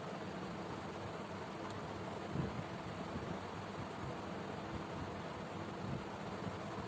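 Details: Steady low broadband rumble, like wind or distant traffic, runs throughout with no animal calls.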